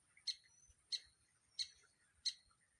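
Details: Wild woodpecker, described as a caterpillar eater that helps reduce caterpillars on trees, calling with four sharp, high-pitched, clipped notes spaced evenly about every two-thirds of a second. A faint steady high hiss runs underneath.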